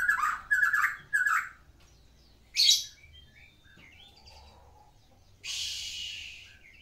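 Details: Medan-type white-rumped shama (murai batu) singing a full song: three quick rich warbled phrases, then a sharp high note, soft scattered twitters and a harsh hissing rasp near the end.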